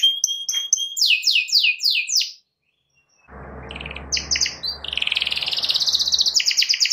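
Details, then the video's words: Canary song used to lure a rival into singing: clipped repeated notes and descending sweeps, a short pause, then fast trills and rolls over a low rumbling background. "KENARI GACOR MEMANCING LAWAN AGAR IKUT GACOR"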